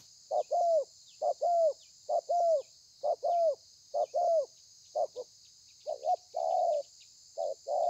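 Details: Wild-caught spotted dove performing thổ pha coos, 30/11/2020: a run of two-part phrases, short note then falling coo, steady at first, then looser with broken and longer muffled notes near the end; faint hiss throughout.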